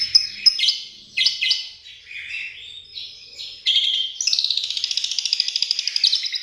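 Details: Asian pied starling song filled with imitated lovebird chattering ('ngekek'): a few sharp, scratchy notes and squeaky slurred phrases, then a sudden, rapid, pulsing chatter of many quick, even beats running to the end.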